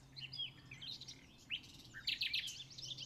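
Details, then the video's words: Nightingale singing at RSPB Pulborough Brooks, England: a quick jumble of varied whistles, chirps and short trills over a faint low hum. "Nightingale Singing."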